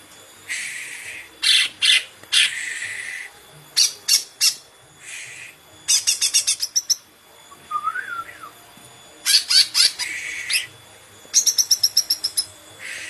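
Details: Green leafbird pouring out long buzzy bursts, quick trills, a soft whistled phrase midway, and closing runs of fast repeated chips.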